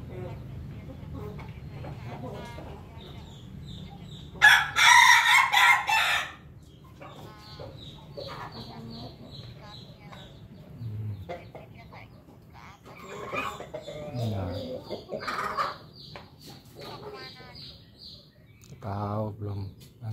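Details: Pelung chicken recorded on 18 May 2024: a loud burst near the start, then harmonic crowing phrases later in the clip, with a low steady hum and faint voices in the background.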